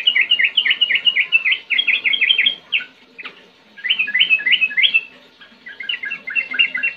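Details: Sooty-headed bulbul in energetic 'ngetir ngerol' singing, meant to spur young birds into song: fast runs of clear, chirpy whistled notes broken by brief gaps, with one sharp click between phrases.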